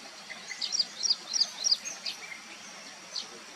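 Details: Vernal hanging parrots eating pearl millet in August; a rapid run of high, sharp, squeaky chirps, about five in quick succession, then a lone note after a short pause, with soft hiss behind.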